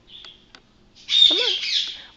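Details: A pet Quaker (monk) parakeet gives a faint thin whistle, then a loud, harsh, raspy burst of speech-like chatter; this bird says phrases like "step up, good boy", "hello baby" and "bad boys".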